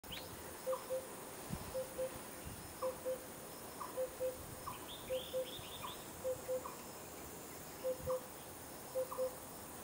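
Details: Oriental cuckoo recorded on 11 June 2016: faint, low, hollow doubled notes, repeated about once a second throughout. A few brief high chirps from other birds come midway, over a steady insect-like hiss.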